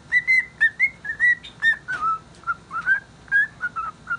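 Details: A cheerful pet cockatiel sings an unidentified tune, whistling a rambling run of clear, slurred notes, about two per second, some rising and some falling, with a few harsher chirps mixed in.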